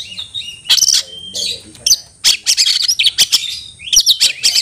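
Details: Oriental magpie-robin, locally kacer, calling to provoke a rival into fighting: harsh buzzy bursts mixed with brief whistles, a steady level whistle, and a rapid run of scratchy notes.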